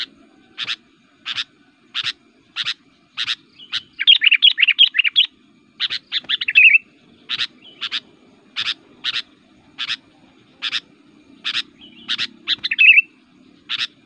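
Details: An aggressive, very active sooty-headed bulbul, used as a call to lure other bulbuls in the forest, gives sharp, high chips about twice a second, broken by a few rapid, chattering bursts, with a faint low hum behind.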